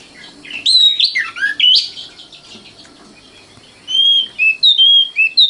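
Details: Common nightingale, the Indonesian sikatan londo, singing twisting slurred phrases that climb and fall, then after a pause a series of short clear whistles at varied pitches.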